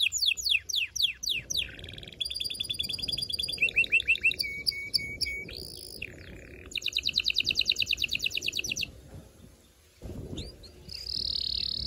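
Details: Canary in loud breeding song aimed at exciting the female: a run of steep descending chirps, varied pulsed trills and piping notes, then a softer stretch ending in a high sustained buzz.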